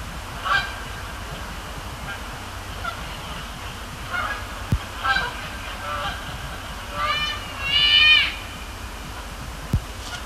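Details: Canada geese at night at Sapsucker Woods Pond, Cornell Lab of Ornithology, during fly-overs and splash-downs in late October; spaced honks build to a loud, ringing burst of overlapping calls near the end, with low hum throughout.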